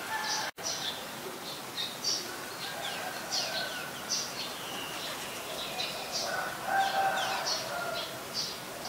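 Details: Olive-backed sunbird recorded at home on 25 February 2022, late afternoon around 4:45 pm: thin, high chipping notes repeated irregularly several times a second, with lower tonal calls and steady background hum.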